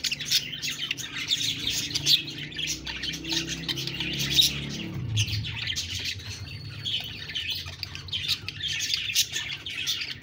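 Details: Budgies keep up a steady high warbling chatter with squawky notes, while a low rumbling background sound swells and fades beneath them.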